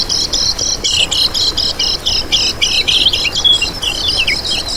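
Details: Kecial kuning white-eye recorded as a lure and master song: fast, shrill, rhythmic twittering of short repeated notes, ending in quick descending slurred chirps.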